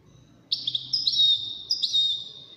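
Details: European goldfinch of the widaniya song style, competing among five birds; two bright, drawn-out high whistled notes, each opened by a quick chirp, with quiet room noise beneath.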